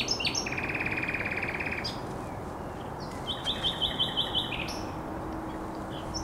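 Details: Common nightingale singing on a headland by the Żerań Canal on 1 May 2021: a dense buzzy rattling trill, then a rapid series of about six bright repeated notes, over steady low background rumble.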